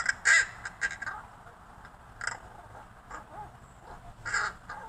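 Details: Neighborhood crow grown friendly with its feeder giving quiet chattering, rattling and muttering: scattered brief scratchy clicks and soft rasps, one louder burst near the start and another near the end.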